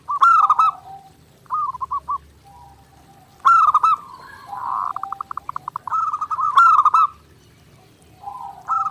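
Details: Clear zebra dove master recording for daily training: accented pulsed coos about every three seconds, broken by shorter stuttering phrases and a fast trill-like run in the middle.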